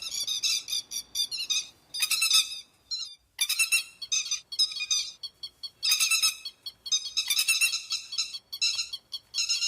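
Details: Grey-headed lapwing calls used as a lure for night net trapping: bursts of harsh, nasal, harmonic-rich notes in rapid series, separated by brief silent gaps, with a faint lower tone beneath; no other sounds.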